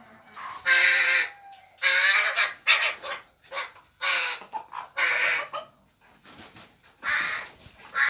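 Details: Young crows in an aviary, all juveniles already able to feed themselves, one small loud one still fed at times by other young crows: harsh, raspy, drawn-out begging squalls in bursts about a second long, separated by short pauses.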